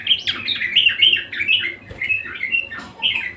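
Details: Persistent, energetic budgerigar warble: rapid squeaky chirps and twittering notes running together without a break, with a faint hum in the background.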